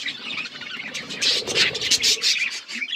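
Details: Colourful budgies at play make rapid, uneven chirps and scratchy twitters, roughly three per second, over soft background chatter.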